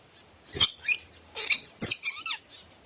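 Red lory giving harsh, shrill screeches in four quick bursts over about three seconds, mixed with a few thin, squeaky whistled notes.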